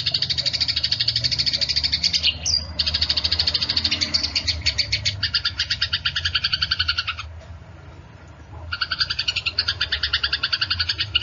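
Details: Eurasian tree sparrows fighting: dense, rapid bursts of high chirps and chatter, about two a second, broken by short pauses near 2.5 and 7.5 seconds, over a low steady hum.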